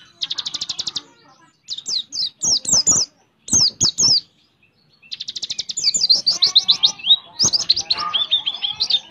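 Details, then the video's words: Oriental white-eye with prinia imitations in its speedy 'ngebren' roll song: opens with a rapid buzzy trill, then bursts of high slurred whistles separated by short pauses, ending in a long continuous twittering run. "Pleci Isian Ciblek Ngebren - Pleci Roll Tembak Speed"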